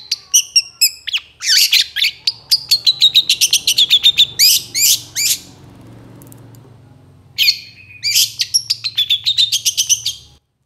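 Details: Long-tailed shrike singing a full-isian gacor song used as a master recording for training other birds: rapid, dense bursts of high chattering and whistled notes, several per second, broken by a short pause before another fast run.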